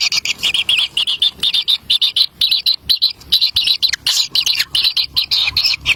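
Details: Kingfisher chicks in the nest, crowding for a black lizard brought by their parent, repeat short raspy, wheezing high calls in rapid, evenly spaced pulses, roughly three to four each second.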